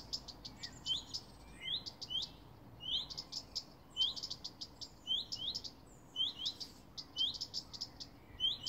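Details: Two common redstarts (Phoenicurus phoenicurus) in a garden send warning calls for hours, repeating a high rising whistle followed by quick ticking notes roughly once a second over a soft background hum.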